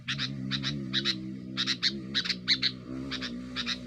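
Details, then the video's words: Sooty-headed bulbul giving noisy song aimed at rivals, used as a lure: clusters of scratchy doubled chirps, partly masked by a strong low humming drone throughout. "suara burung kutilang gacor"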